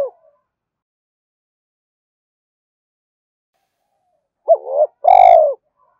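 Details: Spotted dove cooing meant to lure wild doves: after a long silence, one low phrase near the end, a short wavering note followed by a fuller drawn coo that falls away; a clipped fragment opens the recording.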